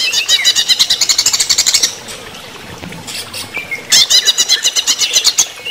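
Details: Greater green leafbird singing during running-water therapy: fast trains of bright, buzzy repeated notes, about two or three per second, in two loud bursts separated by a quieter stretch of thin whistles.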